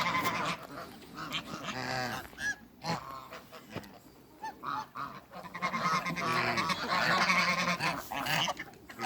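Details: Toulouse geese of both sexes meet in a backyard; scattered honks and short cackles give way to a quieter spell, then a renewed burst of loud overlapping honking from several birds.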